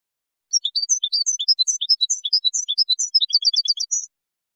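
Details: Moroccan goldfinch in a Widani-style song composition, recorded 2019: a fast, continuous tinkling twitter of high chirps for three and a half seconds, quickening into a tight trill near the end, with no other sounds.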